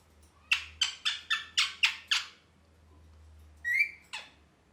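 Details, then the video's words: Parrot making happy chirping sounds: seven harsh, squawky chirps in quick succession, roughly four per second, then a pause, a short rising whistled note and one last chirp, all in a quiet indoor room. "Parrot Chirping Sounds (Happy Voice)"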